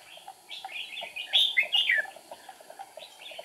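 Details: Decoy red-whiskered bulbul used for trapping wild birds, recorded 8 April 2019: a dense run of quick, liquid, chirping phrases that swells to a loud warble in the middle, then trails off into softer notes.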